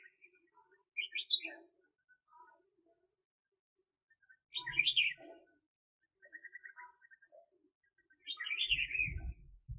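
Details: Red-whiskered bulbul kept as a trapping decoy, giving three lively warbled phrases spaced a few seconds apart, with soft chirps between them and low knocking and rustling underneath.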